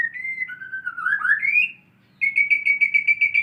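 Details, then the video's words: Kept white-rumped shama, after tail growth, practising canary song: clear whistled notes near one pitch, a slurred dipping phrase, then a rapid run of about nine repeated bright whistled notes after a brief pause; faint low hum behind. "MURAI BATU BELAJAR BUNYI BURUNG KENARI"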